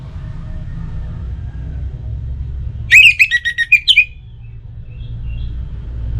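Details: Orange-headed thrush, its song used to coax other birds into singing morning and evening: a brief, hurried cluster of about eight rich whistled notes packed into one second, then quiet with low hum.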